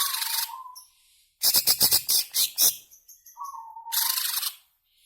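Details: Greater green leafbird singing in the long ngebren style that is played to provoke caged birds: a harsh, buzzy phrase over a low whistle, a quick series of loud clipped chirps, and then a further whistle leading into rasping high notes.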